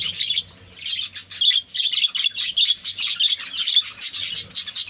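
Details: Many budgerigars in a colony chatter steadily: bright, scratchy chirps and warbled notes repeated rapidly, with a brief lull near the start before the flock chorus resumes.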